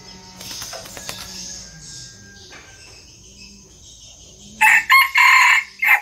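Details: Mini decoy red junglefowl from Vietnam, said to crow diligently at dawn, gives a loud, clipped crow of several harsh, broken bursts near the end, after a steady high insect buzz.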